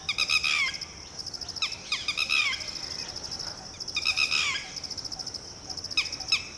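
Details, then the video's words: Red-wattled Lapwing, locally titehri, alarm calling so its just-hatched chick will hide: loud, strident bursts of descending notes in quick clusters, broken by short gaps, against a continuous shrill insect-like drone. "Lapwing chick is newly hatched yet has the ability to run and hide, on Mama's orders!"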